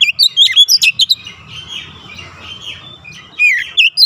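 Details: Oriental magpie-robin song for training young birds toward fast, dense bursts: a quick run of sharp whistled and chirping notes, then a quieter warbling stretch, and a second burst of looping whistles near the end.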